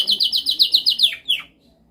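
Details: Short burst of canary training song: about eight quick, evenly spaced high chirped notes followed by two falling slurred notes, then silence.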